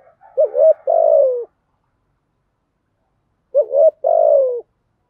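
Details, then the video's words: Spotted dove singing the urging 'thúc gù' coo with a 'thổ' deep voice, used to stir wild birds. Two evenly spaced low phrases, each a quick double coo then a long descending note. "chim cu gáy giọng thổ bài bản thúc gù, chim cu gáy đất bài bản gù thúc, chim cu gáy kích bổi"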